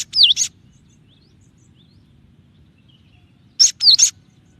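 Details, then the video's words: Cinereous tit (gelatik batu) in a clear tutor recording of 'tembakan' variations: two brief groups of sharp, dipping whistled notes with short clicks between them, separated by about three seconds of quiet, with faint low background hum. "suara burung gelatik batu dengan variasi tembakan banyak yang nyari"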